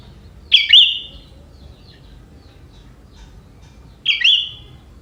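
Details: A young wild sooty-headed bulbul from the forest sings a song with prinia-like elements. Two short, sharp buzzy phrases, each a quick downward-slurred note, are spaced about three and a half seconds apart in a quiet setting.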